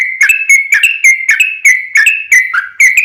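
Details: Sooty-headed bulbul in full, continuous song, used as a lure to make other bulbuls answer: rapid, bright whistled notes near one pitch, repeated about three times a second with sharp clicky attacks, a long rolling run.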